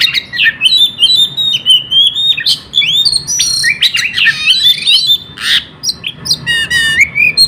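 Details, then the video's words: A kept Oriental magpie-robin sings nonstop, used to lure other birds into singing. The song is a rapid, varied stream of whistled slurs, rising sweeps, and sharp high chirps, with short repeated notes and brief pauses between phrases. "BURUNG KACER GACOR KONSLEET, Teler kaga bisa berhenti. Cocok Buat Pancingan Burung Lain"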